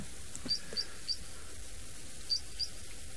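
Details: Three-banded Plover running along a dam shoreline near its nest during a rainy late-March sunset safari gives thin, very high, clipped whistles, three spaced notes then a pair, over a low outdoor rumble.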